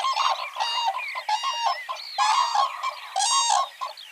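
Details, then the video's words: Herd of common cranes dancing at a pond in a village in Kushinagar, Uttar Pradesh, India, during summer; loud, harsh, honking trumpet notes repeated about once a second in an uneven series, several birds calling together. "Common crane| Singing & Dancing of Crane birds at my village"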